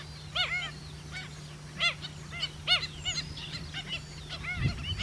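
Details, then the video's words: Pied stilt calling on a roadside pond after rain at Miranda, New Zealand. Sharp, nasal yapping notes come singly and in quick pairs at irregular intervals, under a steady low hum and a soft thump near the end. "Pied or Black-winged Stilt calling on road side pond after rain at Miranda"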